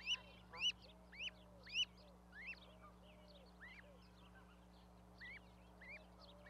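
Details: Baby geese on a nest platform with a parent, Charlo, Montana, May 12, 2020. Loud upswept peeps open the recording, then fade to softer repeated peeps, with low, drawn-out notes from other goslings underneath and a constant hum.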